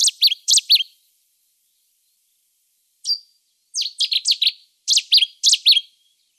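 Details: Cetti's warbler singing: short explosive bursts of loud, sharp repeated notes, a brief phrase at the start, then after a pause a single note followed by three quick bursts of rapid chattering notes.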